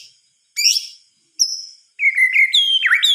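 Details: White-rumped shama at night giving isolated high thin notes, then a sustained series of clear whistles rising and dipping in steps, with one sharp downward slur.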